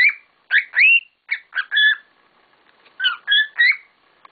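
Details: Several pet cockatiels whistling loudly: short rising and falling notes delivered in quick bursts, with a pause of about a second between the two groups.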